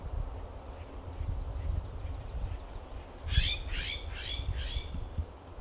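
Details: An immature California scrub jay in Del Monte Forest, California, gives four harsh, raspy squawks in quick succession, about half a second apart, over a steady low rumble of wind or distant traffic.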